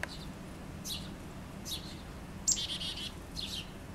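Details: Chickadee at a house while it collects food, caught from an open window; sparse high notes, then a short run of buzzy dee-like notes after a sharp click, low hum beneath.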